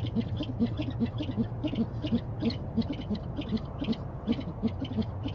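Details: Owl on a nest camera calling for dinner: a rapid run of short, low hoots, nearly three per second, each paired with a faint hissy burst higher up, over a steady low hum.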